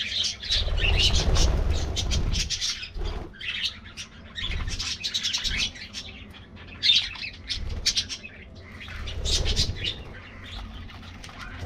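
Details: Colorful budgies in a colony at morning treat time give bursts of chirping and scratchy chatter in waves, separated by short quieter gaps, with wing flapping and low thumps.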